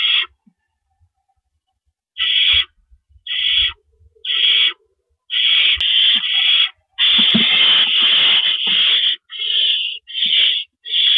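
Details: Owl at a night nest, April 4, 2012, with adults swapping rabbit prey: quiet start, then repeated rough hissing screeches, one long drawn-out burst in the middle and faint scraping and thumping sounds.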